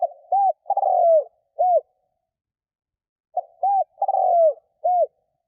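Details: Cooing lure spotted dove used to attract wild doves. Each phrase runs: a soft note, a hooked coo, a long rolling coo sinking in pitch, and a last hooked coo. Two phrases come about three seconds apart with no background noise.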